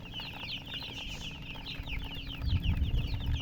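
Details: High, down-slurred chick peeps come in quick succession, several per second, over a low rumble that grows louder toward the end.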